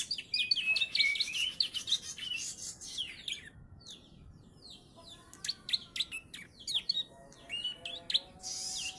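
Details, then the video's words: Bar-winged prinia, a three-month-old youngster tutored with ciblek song, pouring out fast high chirps and trills, pausing briefly, then resuming with sharp clipped notes. "PRENJAK PAUD USIA 3 BULAN. ISIAN CIBLEK BOSQUE !"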